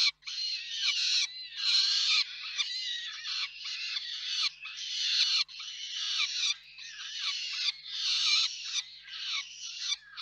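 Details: At the Reda peregrine falcon nest, 4 May 2023, parents exchanging food: a rapid, almost unbroken chain of coarse, rasping screams in uneven bursts of about a second each.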